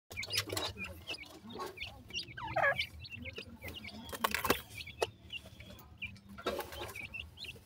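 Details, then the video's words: Baby partridge chicks feeding, giving short high peeping chirps in scattered bursts, with some clicking and knocking noises in between. "best baby partridge food,baby pheasant bird speak"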